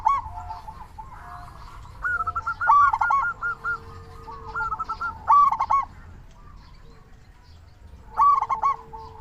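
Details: Lively local zebra dove calling, a recording meant to trigger calling in other doves. Chattering coo series rise to louder bursts about every three seconds.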